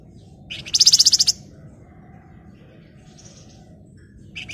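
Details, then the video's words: Flamboyan in breeding condition calling to a rival: one loud, fast, evenly pulsed high trill of about eight notes lasting half a second, followed by a faint short buzz and a final chip. "SUARA PANCINGAN BURUNG FLAMBOYAN BIRAHI GACOR MANGGIL LAWAN"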